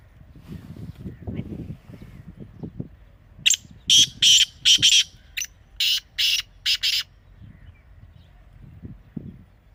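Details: Teetar partridge giving a run of harsh, scratchy bursts, about nine strident notes in quick succession over three and a half seconds, set against faint low rumbling noise at the start and end.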